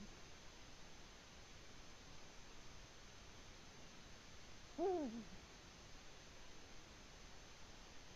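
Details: One deep, rising-then-falling hoot from a Eurasian eagle-owl in the nest in Latvia, February 2020, sounding midway through a long stretch of grainy background hiss.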